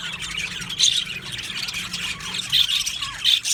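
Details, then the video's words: Budgie colony in an aviary: steady busy twittering, with three louder, shrill squawky chirps standing out from the flock. "Budgies Chirping sounds"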